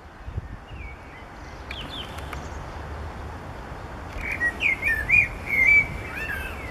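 A common blackbird sings a short, mellow, fluty warble in the last seconds, after a few faint whistles. A low rumble of distant traffic or wind runs throughout.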